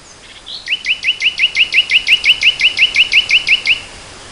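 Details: Spring 2014 recording of a nightingale: a strong, regular series of about seventeen clipped, upslurred notes, rattled off rapidly and steadily for around three seconds.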